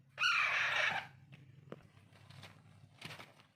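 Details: One rasping, hoarse cry of under a second from hand-fed Alexandrine parakeet chicks, then low background hum and a few soft taps.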